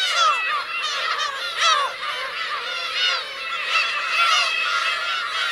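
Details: Adult Black-tailed gulls with their chicks on Teuri Island's Kurosaki coast, Hokkaido, 17 June 2021, giving a steady mass of overlapping, nasal mewing cries, some louder calls rising above the chorus.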